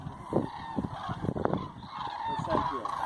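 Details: Common Cranes flying to roost in Hortobagy National Park in autumn, 2 November 2016, part of a gathering of many thousands. Continuous layered bugling calls overlap steadily, with scattered low rumbling bursts throughout.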